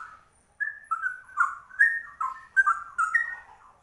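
A Straw-headed Bulbul pours out a rich, bubbling warble of loud liquid whistles, phrases tumbling up and down in quick bursts with short pauses.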